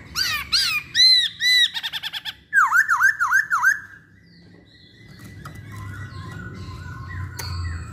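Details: Masked laughingthrush song used as a lure to set other masked laughingthrushes singing: loud falling whistled notes with harmonics, then a burst of fast clipped notes and a run of buzzy downslurred phrases, followed by quieter whistles and low background hum.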